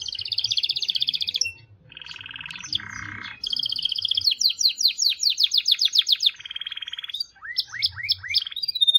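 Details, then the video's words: Canary song of rapid trills and rolls, shifting between high rattling tours, a lower buzzy section and a quick run of downslurred whistles, ending in rising chirps; very little background. "The most Unique and Beautiful Canary Singing"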